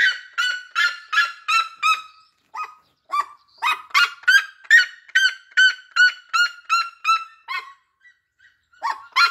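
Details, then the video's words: Red-legged seriema delivering repeated harsh yelping cries in long rhythmic runs, about two to three per second, separated by short pauses with a few softer isolated notes before the series starts again. "O Cato da siriema lindo"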